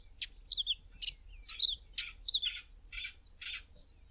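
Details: Male Karoo scrub robin singing from the top of a bush in the early morning: short high whistled phrases with downslurred notes alternating with harsh buzzy bursts, several elements per second, clean background.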